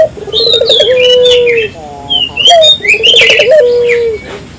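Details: Barbary dove singing to stimulate local doves to sing: two rolling coos, each a rippling trill sliding into a long steady low note, with high thin whistles and chirps of other birds above.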